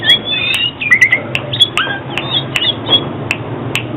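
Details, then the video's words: Oriental magpie-robin, a recording meant for trapping and training birds to sing: scattered short chirps and whistled slurs at varying pitch, with occasional sharp clicks over a soft background hiss. "Tiếng chích chòe than chuyên dùng đi bẫy và luyện giọng chim hót hay mỗi ngày"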